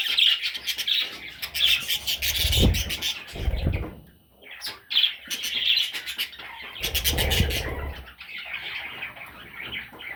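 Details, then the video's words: Parrot chicks keep up a busy stream of high, raspy chirps and short squawks, pausing briefly midway, with thuds and rustles from movement in the background. "Baby Parrots – Sweet Little Chicks!"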